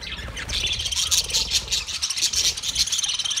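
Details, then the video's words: Budgerigars, Australian parrots, 13 March 2024: loud, dense high-pitched twittering and chirps pour out almost without pause from many birds together. "Beautiful Australian Parrot sounds Budgie Sound"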